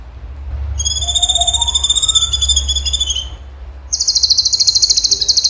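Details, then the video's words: Cucak cungkok delivering a long whistled trill with ringing overtones that drops at its end, followed by a loud rapid buzzy trill; a faint rising whistle sounds underneath. "CUNGKO GACOR TEMBAKAN HOT SUPER TEJEM"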